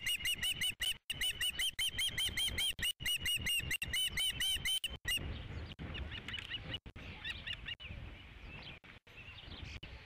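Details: Osprey on a ranch nest during the fifth fish delivery of 3 July 2016: five seconds of insistent, evenly spaced whistled chirps, high and slightly rising, giving way to quieter, fainter calls and outdoor hiss.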